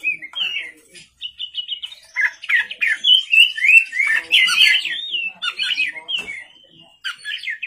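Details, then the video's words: Singing at night, an Oriental magpie-robin delivers rapid warbles, buzzy trills and bright whistled slurs in a continuous flowing stream, with faint murmuring in the background. "pancingan kacer gacor malam hari"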